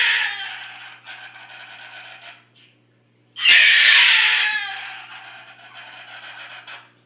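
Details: A pet Moluccan cockatoo, described as very loud, gives long, harsh, raspy screeches, then a brief pause, then a sudden, much louder blaring squawk that slowly fades. A low hum runs underneath.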